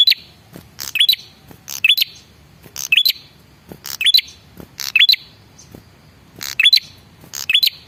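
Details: Male red-headed prinia lure calling to prompt answering birds. Steady series of scratchy bursts, each capped by a thin, high, upward-flicking whistle, about once each second.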